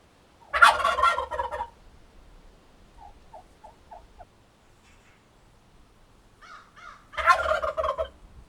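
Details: Turkey gobbling: a loud, dense, rattling burst near the start and a second one about six seconds later, with a few faint short notes in the quiet gap between.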